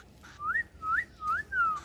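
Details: Pet cockatiel whistling the learned tune known as the Cookie Song: four clear, pure whistled notes in quick succession, the first three sweeping upward and the last gliding downward, each roughly a third of a second long, in a quiet room.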